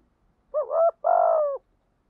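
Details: Decoy spotted dove calling to attract wild doves; one clear coo phrase of a short undulating note and a longer, vibrating note that drops in pitch at its end.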